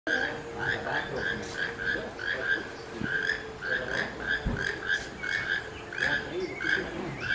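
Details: Keel-billed toucan in Costa Rica in March gives dry, frog-like croaking notes repeated in quick pairs and runs, over a steady low hum and a few distant thumps.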